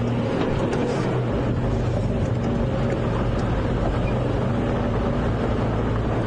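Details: Loud, steady vehicle engine drone fills the whole stretch, dense and low, with no animal voice heard.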